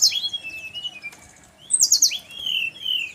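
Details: Brown-chested jungle flycatcher, Bali, song said to draw replies from its kind: a high slur dropping into a long level whistle, a quiet gap, then a rapid high trill and two drawn-out falling whistles.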